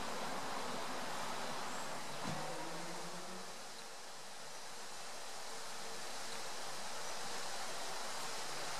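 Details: Constant broadband rushing noise throughout, like a waterfall or traffic, with no clear animal call.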